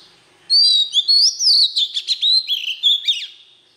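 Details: Oriental magpie-robin singing a standard wild-style voice, used to stimulate newly caught birds: a rich run of clear whistled phrases, rising slurs and quick buzzy trills, sung continuously for about three seconds with a clean, quiet background.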